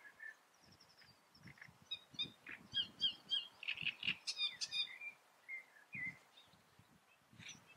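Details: Great reed warbler song of varied phrases: short chattering and squeaky notes, some higher whistled elements, louder croaky bursts in the middle, and soft low knocks or thumps underneath throughout.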